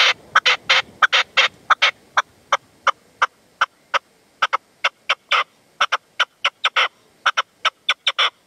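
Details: Male partridge calling at sunset in the sierra near Manzanares, February, answering a decoy bird: a rapid series of sharp, clipped notes, irregularly spaced, some in quick doublets, over a quiet background.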